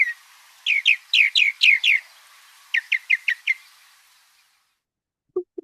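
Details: Northern Mockingbird in Sonoma County, repeating each mimicked phrase several times: a bright, slurred chirp repeated about six times, then a pause and a new, quicker phrase repeated five times, then a brief low sound.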